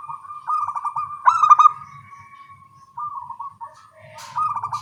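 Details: Morning cooing duet of small-voiced local zebra doves: rapid purring trills, then a louder staccato burst and a drawn-out steady coo, followed by more trilled phrases after brief pauses.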